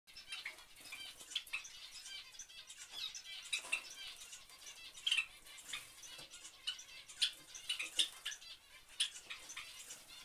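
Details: Java sparrow family: short high chirps and clicks repeat irregularly through the clip, among frequent soft broadband rustling and wing-flutter patter.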